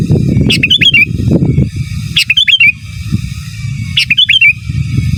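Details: Sooty-headed bulbul in lively, loud song of the giras and menggaruda styles, used as a master song for training; short bright warbled phrases repeat about every two seconds over heavy low rumbling noise.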